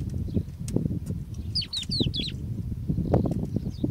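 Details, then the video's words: Crested lark call: a quick run of four clear, liquid whistled notes, each slurring downward, over heavy low wind rumble and handling noise. "Crested Lark Call"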